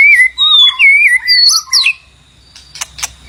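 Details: A White-rumped shama, its song used to attract a mate, gives clear, pure whistled notes that glide and rise, followed by two sharp clicking calls.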